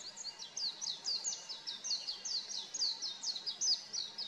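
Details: Oriental white-eye song as a master song for training cage birds, rendered as a quieter, steady stream of high, quick downslurred twittering notes over a low background hiss.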